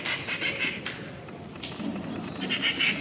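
A treepie gives harsh, rasping bursts mixed with a few brief ringing notes, in quick clusters at the start and again near the end.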